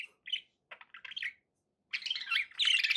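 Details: Pet budgies utter a few isolated chirps and a short warbled phrase, then break into loud, dense, scratchy chattering over the last second.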